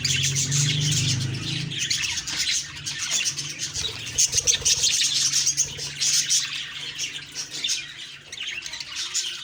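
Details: Budgerigars chattering one morning, October 2, 2023: fast, overlapping high chirps and warbles run without a break, over a faint low hum at the start.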